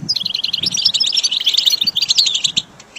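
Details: Goldfinch song from a recording made for training caged birds: a rapid, dense twitter of high chirps and short trills, steady for about two and a half seconds before fading, with faint low thumps underneath.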